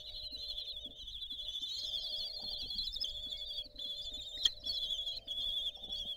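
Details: Kestrels on their nest balcony at Théding, France, during a meal on 20 June 2022, giving a steady high-pitched quavering trill, with a sharp click near four and a half seconds.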